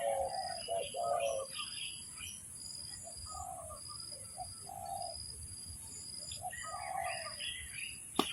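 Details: Spotted dove calling as a lure for trapping, hollow cooing notes in a short burst at the start and then fainter spaced coos, mixed with chirps from other small birds and a steady high whine; a sharp click near the end.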